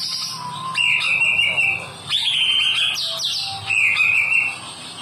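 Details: Caged-bird stimulation song of the white-rumped shama: long sustained whistles with a sharp upward flick at the start of each, three main phrases separated by short gaps, steady low hum beneath.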